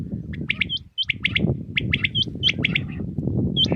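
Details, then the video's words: A Common Quail sings early in the morning in Pakistan, repeating its liquid three-note 'wet-my-lips' phrase several times in quick succession over a steady low rumble. "New Common Quail sounds| Batair Ki Awaz | Quail singing early morning"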